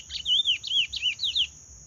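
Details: Paraense-style song of a chestnut-bellied seed finch: a quick run of five or six looping, liquid whistled notes that swoop up and down, with a constant thin electronic whine behind it.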